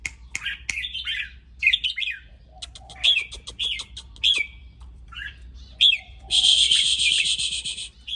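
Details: Red-whiskered bulbul sounding excited and provocative: a busy string of whistled chirps, warbles and sharp clicks, ending in a long harsh buzzing rattle.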